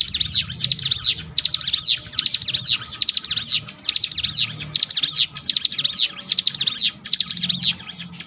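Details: Bar-winged prinia singing, recorded as a training track to toughen a bird's mentality: continuous loud bursts of sharp, high, arching chirps in rapid clusters, each lasting about half a second, with a low murmur beneath.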